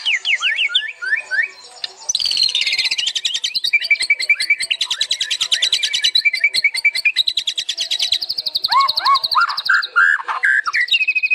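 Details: Energetic white-rumped shama song meant as a training master: a few rising whistled notes, then a long run of rapid, rhythmic stuttering notes, about three per second, ending in sweet slurred whistles.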